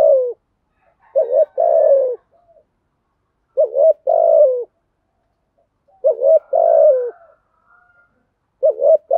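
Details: A spotted dove repeats its full cooing phrase roughly every two and a half seconds in the 'giọng thổ' style, used to stimulate decoy doves: quick double hoot, then a drawn-out mellow coo dropping in pitch.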